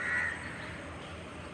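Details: One of two crows that kept cawing at each other for some fifteen minutes gives one short, harsh, raspy caw at the start, followed by a quiet background hum.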